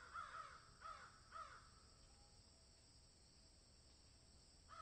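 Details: Crows in a field giving three hoarse, downward-arching caws in quick succession, a pause, then a single caw at the end; a steady hiss underneath.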